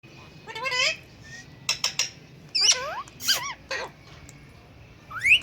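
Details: Talking parrots perched on a bird stand give scattered harmonic, arching calls and short sweeping whistles, with quiet pauses between bursts and one sharp rising note at the end.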